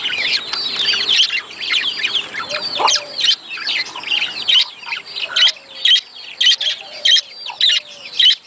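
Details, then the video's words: Budgies' sound for breeding stimulation: rolling warbled chatter that gives way to regularly spaced sharp chirps about every half second toward the end. "صوت يحفز البادجي للتزاوج مميز"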